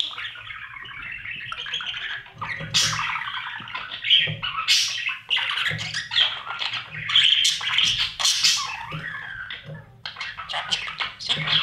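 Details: Budgie chicks being fed by parents inside a nest box during breeding. A long, uneven run of raspy, grating squawks with sharp bursts roughly every second and scattered scratching clicks throughout.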